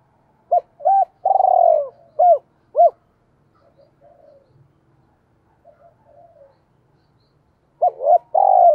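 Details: Decoy spotted dove, 'giọng thổ' voice, used to stir up wild birds: a complete five-note cooing phrase, then faint soft murmurs during a pause, and the next phrase starting at the end.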